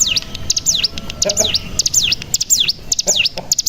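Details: Cigun (mountain prinia) lure song to stimulate other cigun: repeated high whistled notes, each dipping down and climbing back up, given in close pairs and triplets. Faint lower chirps sound underneath.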